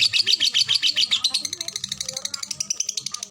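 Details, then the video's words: Fighter lovebird singing ngetik and ngekek, the long phrases with tight gaps. A rapid, high, chattering trill of evenly repeated sharp notes starts loud and grows slightly softer and quicker toward the end. A faint human voice murmurs underneath. "Love bird ngetik ngetik ngekek durasi jeda rapet."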